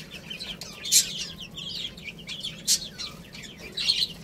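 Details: Chicken chicks eating rice, giving many short high peeps and chirps overlapping in a busy flock, with a few louder broadband pecking or tapping bursts.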